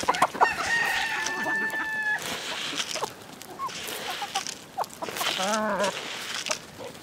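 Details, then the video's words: Village chickens: a level, drawn-out call, then clucks, and a descending, pulsed call near the end, over constant farmyard background noise. "Dinlendirici Tavuk Sesleri Doğal"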